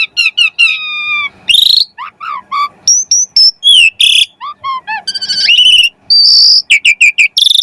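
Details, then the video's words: Energetic Asian pied starling song full of varied phrases, used as a lure for other starlings: a steady series of pure whistled notes, buzzy rasps, descending slurs, short low notes and a sustained high whistle. "Jalak Suren Gacor Pancingan Burung Jalak Agar Cepat Mompa Gacor Full isian Mewah"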